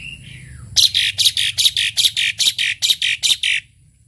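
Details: Tame Asian pied starling (jalak suren): a soft falling whistle, then a rapid series of about a dozen loud harsh rasping notes, evenly spaced roughly four per second, ending abruptly.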